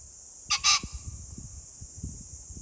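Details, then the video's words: A pheasant on 21 July 2024 gives a loud, harsh two-note crow, two quick rasping bursts, over a steady high insect-like hiss and some low thumps. "pheasant call ,キジ ,꿩"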